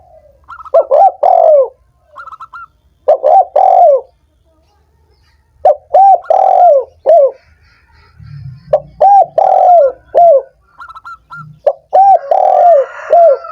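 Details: Spotted dove cooing, used to stimulate doves that are reluctant to sing. Mellow, rounded coos in short grouped phrases, each phrase about a second long, recur several times with brief pauses. Faint low background noise is also present.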